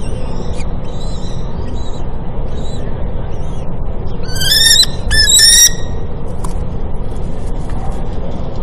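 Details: Kestrel female bringing food to freshly hatched chicks at a nest on a building of The American University in Cairo; faint thin calls, then a loud burst of piercing squealing notes midway, with low rumble throughout.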